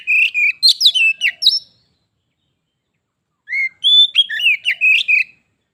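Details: A kept Oriental magpie-robin trades song with a visiting wild rival during a contest that escalates into fighting. Two bursts of rich whistles and rapid chirps, separated by a two-second pause.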